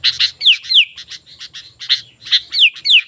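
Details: Chattering sooty-headed bulbul song used to entice wild bulbuls to respond: bright chirps interleaved with repeated pairs of downward-sliding whistles, in quick uneven bursts.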